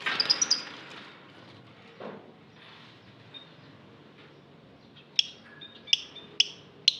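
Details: Aviary lovebird giving a rapid burst of shrill chirps, then a quiet stretch, then sharp clicking chirps repeated about every half second.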